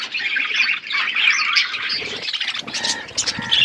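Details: Several budgerigars giving squawky, rasping chirps and quick warbled notes in a steady, crowded chatter with short harsher bursts.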